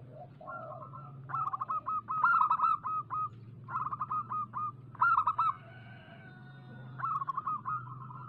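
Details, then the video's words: Local zebra dove lure song for prompting doves to sing fast: repeated choppy bursts of rapid coos, with a lower second voice and a drawn, even tone between phrases. "Suara pancingan burung perkutut lokal gacor"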